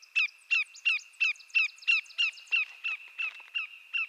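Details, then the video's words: Greater yellowlegs, a Canadian shorebird of eastern North America, giving a long run of about twelve sharp, downslurred whistled notes, roughly three per second, loud and clear against a quiet background. "Greater Yellowlegs Sound"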